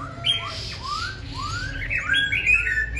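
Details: A hand-tamed Black-throated Laughingthrush kept in a cage, described as singing all day long, gives a run of upward-sliding clear whistles followed by quicker chattering phrases against low room noise.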